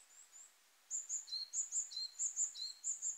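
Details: Eurasian Wren song in early spring, mid-March 2023, on the Hayatogawa forest road in Kanagawa, Japan. Rapid high-pitched paired notes alternate with lower buzzy trills, repeated briskly for about three seconds.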